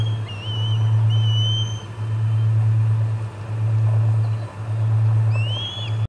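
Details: Osprey calls at the Charlo nest on 4 September 2020 around the third food delivery of the day: a few scattered, rising whistled chirps separated by pauses, with a constant low hum underneath.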